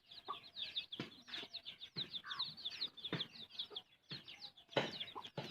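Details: Chick peeps, high and arching, pour out almost continuously as its mother hen feeds it, with occasional short low clucks and pecking thumps beneath.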